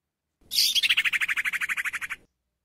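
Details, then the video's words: Calling female sirtu summoning a male: one brisk trill lasting under two seconds, opening with a higher sharp note and then running through some sixteen evenly repeated buzzy pulses before stopping abruptly. "Suara Sirtu Betina Ampuh Panggil Sirtu Jantan Jadi Gacor"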